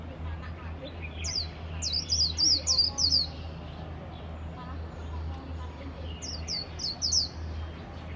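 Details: Japanese white-eye singing passionately, two short bursts of very high, thin, rapid twittering notes separated by a pause of several seconds, over a constant low humming background.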